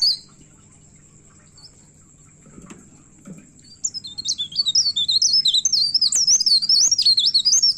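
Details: Agitated myna, locally called pare pare, in full song while looking for a rival: a few seconds of near silence, then a dense, accelerating stream of high, rapid, twisting chirps and trills continuing to the end.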